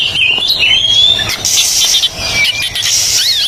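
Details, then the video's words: Singing Oriental magpie-robin on a training recording meant to restart silent birds: long sweeping whistles and quick warbled notes, with bursts of harsh hiss in the background. "TERAPI KACER MACET BUNYI"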